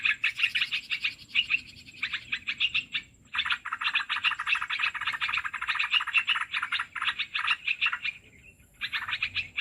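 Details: Olive-winged bulbul sound played to attract birds into traps: dense bursts of rapid chattering, bubbly notes, broken by short pauses, with a faint high steady tone throughout.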